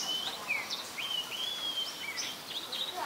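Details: Chestnut-headed bee-eater, an adult, at Ubon Ratchathani, Thailand, 13 February 2021, Nikon P1000: a run of clear, whistled, slurred notes, some rising and some falling, following each other closely over a soft background hiss.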